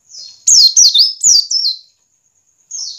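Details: Ngiriwik call of a white-eye, meant to make caged white-eyes start singing: four loud, high, falling whistled notes in quick succession, a silence, then a softer thin note.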